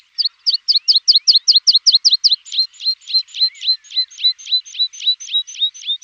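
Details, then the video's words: Javan bush lark song for training kept birds: a long, even series of sharp downward-slurred notes, roughly three per second. Later notes grow slightly longer and fuller. No other sounds present. "Masteran Branjangan!!"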